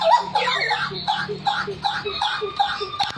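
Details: Papuan hooded butcherbird singing energetically, said to sing until coughing: a rapid, rhythmic series of short, mellow, chuckling notes, about two and a half a second, with a faint steady hum underneath.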